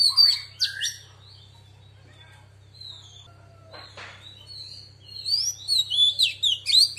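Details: Female Oriental magpie-robin giving its forest-style song to stimulate males: sharp whistled notes at the start, a quieter stretch with a brief rustling noise, then a lively sequence of high, looping whistles with a low background hum.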